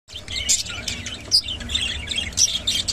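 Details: Rainbow budgerigar chattering in a dense run of high, quick chirps and warbled squeaks with brief bright whistled notes, continuous for three seconds over a faint low hum.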